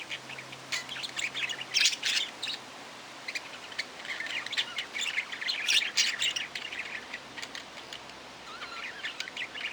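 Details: Budgerigar giving lively chatter of quick clicks, squeaks and scratchy warbles in uneven bursts, with brief pauses between bursts.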